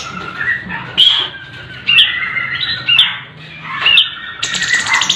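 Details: Sooty-headed bulbul song variations for training contest birds: sharp whistled phrases with bright upslurred notes, repeated roughly once a second, ending in a rolling high buzzy trill.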